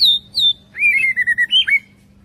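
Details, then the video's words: Forest-style song of a young white-rumped shama: two high, slurred whistles, then a lower, wavering warble broken into rapid pulses and ending in a bright, twisting whistle. "chòe lửa non hót giọng rừng hay nhất"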